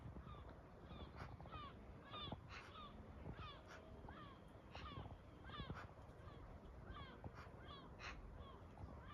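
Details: Several Eurasian Magpies in a chestnut tree in February, in spring-like weather, trade short, nasal, bent calls, some doubled or chattered, tumbling over one another every second or so above a steady low rumble.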